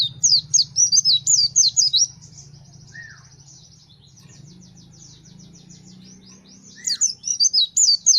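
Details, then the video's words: Gacor pleci fighter white-eye delivers bursts of rapid, high warbling twitters, pauses with faint ticking and a lone falling chirp, then resumes the fast twittering song; low hum in the background. "The sound of the Gacor fighter pleci bird shooting"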